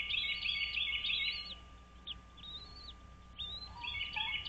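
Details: Wild American bald eagles at their nest on Dale Hollow Lake, a reservoir on the Kentucky-Tennessee state line, 06:05 on 06.03.2023: high, rapid chattering notes in bursts, with short arched whistles between them over a steady background hum.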